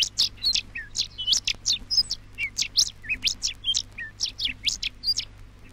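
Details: Rufous Songlark in Australia, from a 1968 vinyl wildlife recording, pouring out a rapid, rollicking string of high, scratchy and ringing notes, several per second, with a faint low hum underneath.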